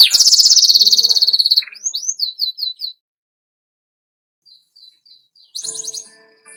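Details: Canary song played to encourage caged birds to sing; a fast buzzy trill, then a few clear downslurred whistles, silence and a brief burst at the end.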